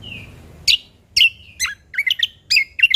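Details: Sumatran leafbird, known locally as Cucak Kombo Lombok, singing energetically with natural-style fill: a thin falling whistle, then crisp sharp chirps and twisting double notes about every half second.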